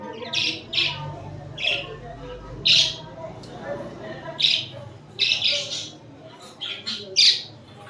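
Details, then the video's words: Pet budgerigars, cuddling and fighting: short harsh chirps and squawks in bursts about once a second, with quiet gaps between and faint chatter in the background. "#Budgie cuddling #Budgie fighting, #Budgie chripping"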